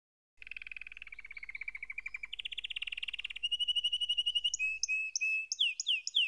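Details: Canary singing: a fast buzzy trill that builds in loudness, shifts to a higher rattling roll, then breaks into rising whistled notes and sharp chirps, with a faint low hum underneath.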